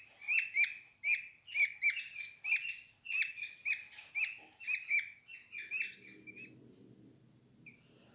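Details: Budgerigar nestlings, day 11, huddling with siblings and mother in the nest box: steady run of rasping high chirps roughly twice a second, fading out after five seconds into faint low rumbling background noise.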